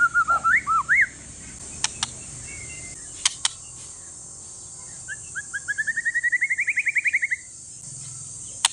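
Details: One-year-old Aceh forest-stock white-rumped shama song used to spur other shamas into singing: opening wavering whistled swoops, a quiet gap with sharp clicks, then a rising run of quick repeated notes ending abruptly.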